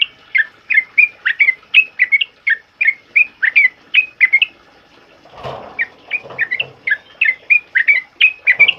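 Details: Loud sooty-headed bulbul song in the rapid 'ropel uplik' style, played as a master song for other birds. Quick chirpy whistled notes repeat almost three a second, with a brief rustling, flapping-like noise midway.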